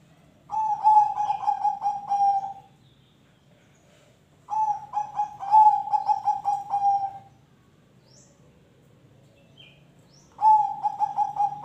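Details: Three loud phrases of zebra dove song, used to coax other birds into singing, each a rapid run of pulsing, mellow cooing notes ending in a drawn coo, separated by quiet pauses of about two seconds.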